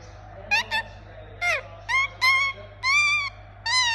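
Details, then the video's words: Indian ringneck parakeet, a pet parrot, giving a series of short harmonic squawks and longer arched screeching calls, some rising then falling, spaced irregularly over a steady low hum. "Relaxing Parrot Making Sound"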